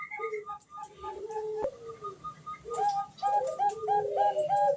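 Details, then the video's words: Female zebra dove calling the male as a lure: quick series of short whistled notes with a lower sliding tone beneath, broken by a click, then a second burst of clipped repeated whistles. "suara perkutut betina memanggil jantan"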